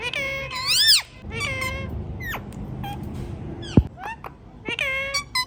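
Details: Indian ringneck parrot talking "mithu mithu": clusters of harmonic, squawky syllables, some sweeping down sharply, with a short gap in the middle and a sharp click, low hum beneath.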